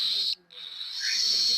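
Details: Hungry hand-raised baby albino cockatiel chick crying for food, likened to a dinosaur: a harsh, hissing rasp held high, broken by a short pause, then resuming as a long grating screech.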